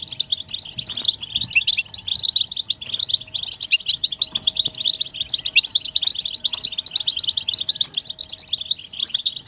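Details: Collective twittering of European goldfinches, the betbeta used to excite males into song. Fast, bright, overlapping chirps repeat in rolling waves throughout, over a faint constant low hum.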